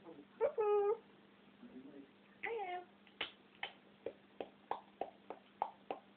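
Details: Indoor African grey parrot, a camera-shy talking pet, gives a long clear tonal whistle-like word, then a shorter sliding phrase, followed by a rapid regular series of clicking pops about every third of a second.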